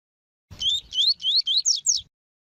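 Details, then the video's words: Double-collared seedeater performing the tui tui song style, used with female calls to warm up males for training: six bright upslurred whistles in a fast run, ending in two sharper, higher strokes. "CANTO DO COLEIRO TUI TUI PERFEITO COM PIADO DE FÊMEA DE COLEIRO PARA ESQUENTAR COLEIRO TUI TUI"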